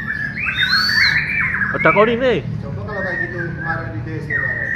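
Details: Bornean white-rumped shama (murai batu Borneo) at a joint training session: a high whistle and mid-pitched warbling, broken by a harsh, harmonically rich downward squawk, then lower-level scattered notes and a final flat whistle.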